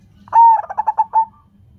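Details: Lure call of a local zebra dove, meant to get other doves calling: one sustained coo, then a fast stutter of short pulsed notes and a final drawn-out note, clean and close with faint low background hum.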